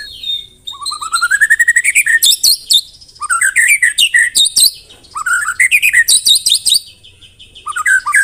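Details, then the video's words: White-rumped shama, a caged bird filled with canary imitations, singing a loud varied song of rising whistled sweeps, rapid repeated chips and high trilled phrases in bursts, with short pauses between phrases. "MURAI BATU ISIAN KENARI, CILILIN SUPER NEMBAK"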